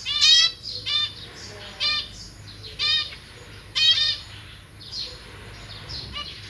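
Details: Zebra finch parents feeding a brood of three juveniles and three newly hatched chicks in a cage: loud, harsh, harmonic-rich nasal calls in short bursts, about one each second, with softer chirps between them.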